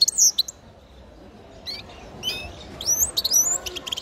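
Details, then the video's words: Nestling grey-crowned goldfinch singing: short high thin chirps and twittering notes, a bright burst at the start, then scattered squeaky phrases and rising slurred whistles toward the end over a quiet background hiss. "Птенец щегла пение"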